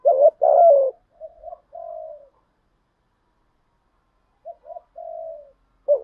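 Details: Native-style spotted dove lure call intended to make other doves coo fast. A loud rising-then-falling coo pair opens, followed by gentler trailing coos. After a pause, another soft coo series and the start of a further loud phrase are heard.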